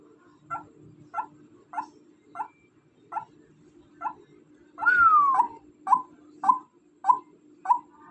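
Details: Female white-breasted waterhen gives quieter short notes, then one longer note sliding downward, followed by louder sharp notes at a steady half-second rhythm, with a low hum throughout.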